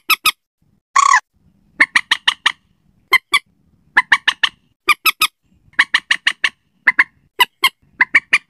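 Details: Slaty-breasted rail lure call, meant for use at night. Sharp, dry, clicking kek notes come in rapid bursts of three to five, with one short harsh rasp near the start.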